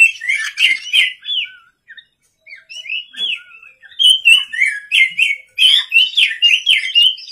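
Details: Oriental magpie-robin singing energetically at night, used as a lure to prompt other birds to sing: varied clear whistled phrases mixed with scratchy chattering notes, in bursts separated by short pauses.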